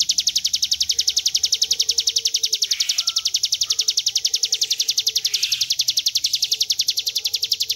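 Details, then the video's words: A mountain prinia (ciblek gunung), in a tutor recording, delivers a long, high, buzzy trill of rapid, evenly spaced pulses without a break, with faint lower whistles from another bird underneath. "Ciblek gunung ngebren panjang"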